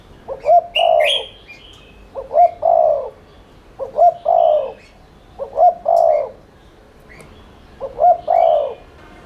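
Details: Spotted dove cooing steadily in the 'thúc liên thanh' style, used as a lure to stimulate other doves: five evenly spaced phrases of two short hoots and a longer coo, with occasional higher chirps from other birds.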